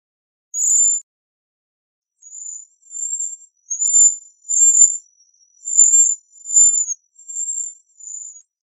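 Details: Bohemian waxwing calling: a series of high, thin trilled notes, each about half a second long, repeated with short gaps in a quiet background.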